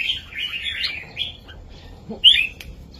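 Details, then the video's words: Southern Thai master song of a red-whiskered bulbul, used to teach young birds; a short run of rolling, slurred warbles is followed by a pause and then one bright, sharp note. "นกกรงหัวจุกเพลงแม่บทใต้ ลำหนักๆ ชัดๆ ยั้วนกฟังนกคึก เปิดสอนลูกนก"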